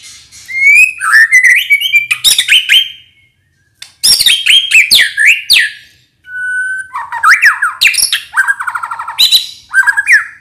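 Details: White-rumped shama (murai batu) singing constantly, its full song filled with varied phrases and used to provoke other birds to sing. Loud, rich bursts of whistles, rising and falling slurs, and rapid buzzy trills, split by two short pauses.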